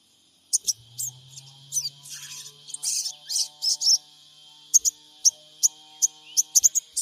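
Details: Sogon of the trotol type, a lure recording made with an Android phone in Purbalingga to provoke a response. It gives sharp high chirps and short buzzy bursts in uneven clusters over faint low tones.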